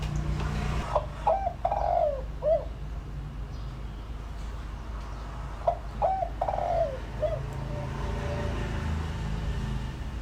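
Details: Lure-calling decoy spotted dove: two clear cooing phrases of short hoots ending in a longer sliding coo, separated by a pause, over steady low hum and faint clicks.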